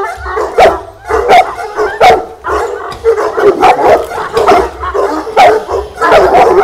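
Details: Fila Brasileiro aged 12 months guarding against an unfamiliar decoy at first contact: loud, deep barks in quick uneven volleys, each burst rough and full, with brief gaps between groups.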